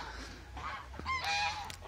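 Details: Domestic geese, newly hatched young males said to call a lot from a neighbour's flock of about 150 birds; short nasal honks with harmonic stacks, a few quick calls in under two seconds.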